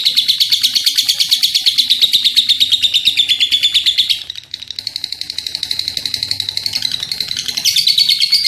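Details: Lovebird in full voice giving a long chattering run: rapid, even shrill notes about three per second, steady high pitch with a brief dip near four seconds, then resuming and rising slightly toward the end.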